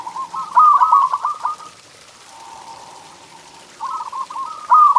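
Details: Zebra dove song meant to prompt caged doves to sing: a trilled cooing phrase of quick stuttered notes, a soft low hum between, then another rolling phrase starting.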